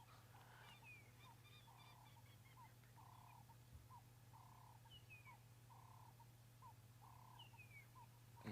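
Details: Magpie shrikes calling at dawn on a South African safari drive give clear, fluty whistled notes, some sliding downward, repeated about every half second over a steady low engine-like hum.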